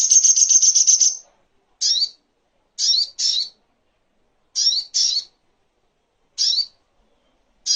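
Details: Sogok ontong, the crimson sunbird, in a master recording for training and calming songbirds: a short, fast, high trill, then a series of paired, sharp, downward-twisting chirps spaced about a second apart.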